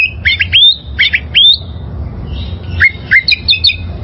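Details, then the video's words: A wild oriental magpie-robin, recorded for training caged birds, sings short sweet phrases of rising whistled notes, then after a brief pause gives quick varied chirps and twittering notes. "Masteran Suara Burung Kacer Liyar...!!!"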